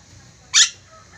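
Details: Ornate lorikeet, an Indonesian endemic, lets out one brief harsh rasping shriek, with a faint soft note afterward and little background noise.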